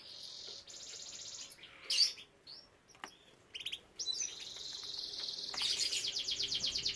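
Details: Domestic canary kept for breeding, singing in fragments: short high buzzy trills broken by pauses, then a long rolling trill of rapid repeated notes building toward the end.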